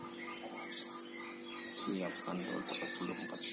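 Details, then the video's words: Oriental white-eye, caged, from Sragen, Central Java, Indonesia, in full song: long streams of very high, rapid, jumbled twittering broken by one short pause, with faint clicking and a low hum behind. "Masteran Gacor Mantenan Himalaya"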